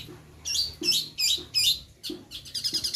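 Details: Long-tailed shrike, used as a lure to provoke singing: harsh, buzzy chattering bursts repeated rapidly, ending in a quick stuttering trill, with low knocks beneath.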